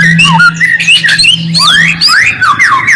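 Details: Shama song used to provoke a response: short phrases of sliding, rising whistles and sharp notes, bright and loud, accompanied by a persistent low hum.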